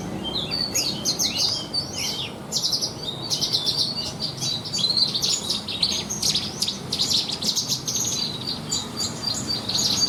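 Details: Javan bushlark in a cage, prized for contests for its rich mimicry 'isian' fill, singing a long, dense stream of high, buzzy chatter and rapid clipped notes with few pauses over faint low noise.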